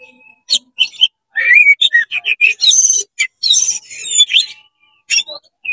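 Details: Oriental magpie-robin singing rapidly, tail spread, to excite rival magpie-robins: short high chips, then a fast jumble of whistles, buzzy rasps and rising slurs, trailing off into a few separate notes.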